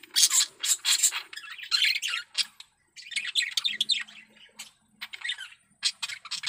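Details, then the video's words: Male budgerigar in strong breeding condition singing loud harsh squawky chirps and chattering warble phrases in quick bursts, with one brief pause midway. "Suara Burung Parkit Jantan || BIRAHI PARAH"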